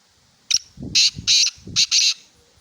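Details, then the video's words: Black francolin call: a harsh, grating phrase of five rasping notes, a sharp opening note then paired scratchy bursts over about two seconds, with faint low background sound. "Kala Teetar Ki Awaz|Black francolin Sound"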